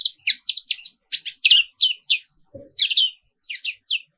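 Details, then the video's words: Black-capped white-eye, a bird found only in Indonesia, singing in the morning as a therapy sound meant to get other birds active and singing: rapid bursts of high, sharp chirps and twitters, each lasting a fraction of a second, with short pauses between. "Suara Terapi Pagi Pleci Papua Wiklus | Auto Aktif & Ngerol Terus"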